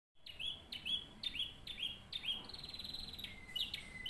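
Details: Canary song offered as a model for training other canaries: clear whistled syllables near the top of the range, repeated about twice a second, then a fast buzzy trill and a falling whistled phrase, over a faint low background hiss.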